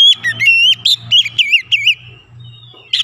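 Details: Responding to a lure recording, an agitated Oriental magpie-robin mixes harsh squawky notes with looping whistles from its fill-in repertoire, set against a steady low hum.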